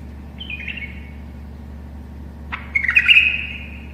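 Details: Tame bulbul singing to teach other bulbuls: a soft short stepped-down whistle first, then after a pause a louder sharp note leading into a quick warbling phrase with a lingering tail, over a low background hum.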